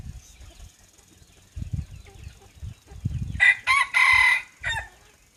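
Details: Decoy rooster crowing around 6 pm: after quiet low thumps, a loud crow breaks into several harsh, bright segments over about one and a half seconds, with a short final burst.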